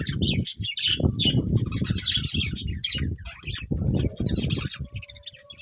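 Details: Budgerigars chirping busily, with dense overlapping high twitters and chatter over heavy low rumbling and fluttering noise throughout.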